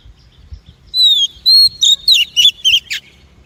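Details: Female Oriental magpie-robin calling, used to stimulate males, tune their song and catch them; two drawn-out whistles, then six rapid harsh, warbled notes descending at the end.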